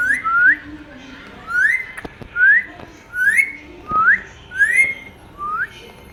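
An Indian ringneck parakeet gives short, clear whistles that sweep upward, about one every second, over faint room noise.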